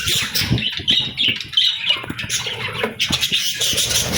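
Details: Budgerigars, parents and chicks together at feeding time, give a steady stream of high, twittering chatter with squeaky notes, about three bursts a second, alongside low bumping and rustling.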